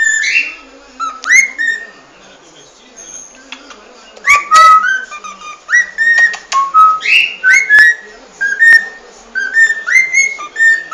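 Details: Cockatiels whistling in lively bursts: short rising notes that level off, repeated in clusters, with a quieter stretch midway before a dense run of upslurred whistles to the end.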